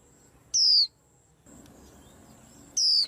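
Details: White-eye in a rack of bird cages, reportedly setting off the rest: two drawn-out, shrill whistles gliding downward, around a third of a second each, roughly two seconds apart, with soft noise between.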